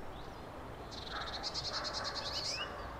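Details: A European greenfinch (Chloris chloris) in the coastal Netherlands sings a quick, even trill of about a dozen high notes, closing with a short rising whistle, over a soft rural hiss.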